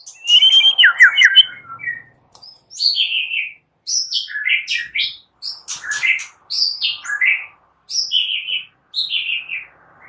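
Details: White-rumped shama morning song used as a lure to make shamas sing: varied whistled phrases, some falling and slurred, others short and sharp, given in bursts with brief pauses.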